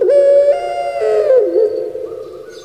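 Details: Puter pelung, a caged Barbary dove from Java kept for its voice, giving a long rolling coo that rises then dips and trails off, a sound often mistaken for a person crying.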